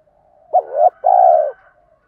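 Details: A single spotted dove phrase from male and female birds calling to stimulate training birds: a quick rising note sliding into a soft coo, then a longer even, hollow coo after a short pause.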